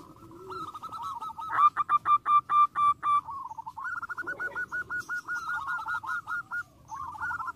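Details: Zebra dove, or perkutut, song used to stir up rival birds. Loud staccato cooing pulses are followed by a long even chain of quick repeated coos, with another dove calling softly behind.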